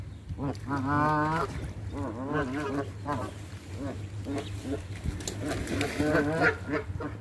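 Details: Canada geese being hand fed give loud nasal honks, a long wavering one near the start and shorter ones after, in irregular bursts over a constant low hum.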